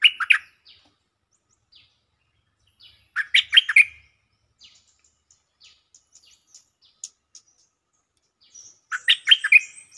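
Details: Stripe-throated bulbul lure song: three loud, bubbly warbled phrases spaced roughly every three to four seconds, with soft, scattered high chips in the quiet gaps between.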